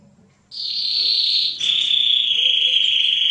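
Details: Mosaic canary singing to prepare females for mating and teach chicks: a steady high buzzy roll begins after a brief pause, then shifts to a slightly lower continuous trill held throughout.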